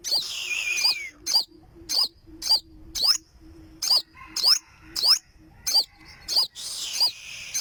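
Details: Olive-backed sunbird giving sharp, high, sweeping notes about every half second, some with short downward slurs, over a faint steady low hum.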